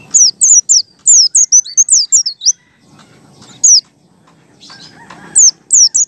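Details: A wild white-eye calls with an open beak: rapid, high, thin chirping notes in quick bursts, with a pause and fainter low rustling between phrases. It is used as a lure for white-eyes.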